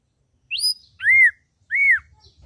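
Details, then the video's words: Ashy drongo with red eyes: a short rising whistle followed by two loud, harsh down-arched notes about three quarters of a second apart. "Srigunting Abu Abu Gacor Mata Merah"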